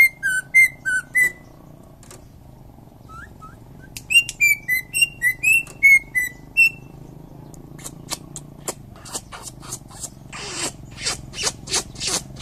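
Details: Champion greater green leafbird, Indonesia, delivering rapid sequences of clear gliding whistles, some rising and some falling, in quick bursts, followed by sharp clicking and chattering notes, with a low background hum throughout.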